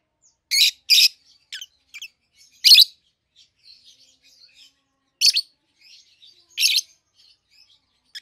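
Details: Loud, piercing chirps from two captive-bred young peach-faced lovebirds, red-headed green opaline and red-faced dark green, at 7-8 months old. The chirps come singly or in pairs between quiet, soft twittering.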